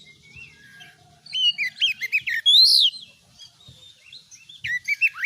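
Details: Oriental magpie-robin, kept as a caged kacer songbird, singing a lively varied phrase: quick whistled slurs and rising sweeps leading to a loud drawn-out buzzy note, then quieter notes and a fresh burst of sweeps.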